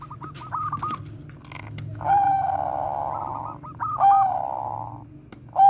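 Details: Zebra dove of the Bangkok line giving koar-koar cooing meant to lure other doves into song: stuttered rolling trills and short clear notes, partly overlaid by a broad rushing noise, with a low hum throughout.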